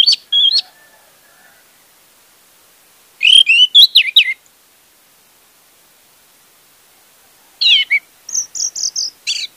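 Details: Orange-headed thrush singing, used as a lure to get a silent bird singing: bursts of rapid, varied whistled and chattering notes separated by pauses of a few seconds, ending with a quick series of high chirps.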